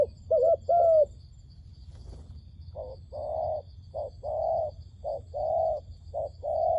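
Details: Wild dove calling to lure doves for trapping: low, soft coos, two brief opening notes, then paired short-and-long hooting coos repeated about every second, over a steady low rumble and a faint high hum.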